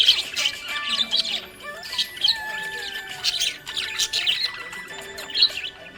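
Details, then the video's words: Cheerful budgerigar giving clusters of harsh, squawky chirps in short bursts roughly every second, separated by quieter gaps, with faint sustained tones in the background. "Happy budgie chirping sound"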